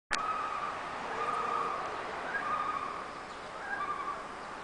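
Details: Wild loon calling at first morning light on Lake Winnipesaukee: long, steady, mournful held notes, then a higher note sliding back down, then more sustained tones over a steady hiss of background noise.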